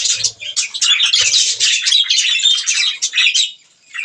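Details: Budgerigars chirping while eating green food: a dense, continuous stream of bright, warbling, high chirps and twitters with almost no pauses for about three and a half seconds, then a brief quiet gap before chirping resumes.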